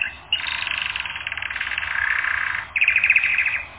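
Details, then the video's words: Training-record canary singing a long, buzzy, fast trill over faint background hiss, which breaks off and then restarts as a louder, sharper rolling trill. "Canary Training Record N°10"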